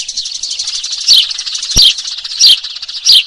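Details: Trapping lure of Eurasian tree sparrow calls: a steady high buzzy chatter punctuated by loud sharp chirps about every 0.7 seconds, with one faint low thump.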